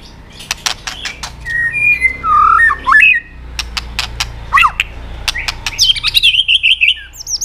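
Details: White-rumped shama song with clicks, used to stir other birds to sing: sharp clicks and short whistles, then a harsh grating burst, followed by a rising, warbled whistle and quick chattering notes.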